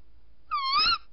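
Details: Tawny owl at night, on a second visit, recorded 14 January 2019 around 01:30: a single short call, about half a second, starting lower then rising and holding, bright and harmonic-rich, against a quiet low hum.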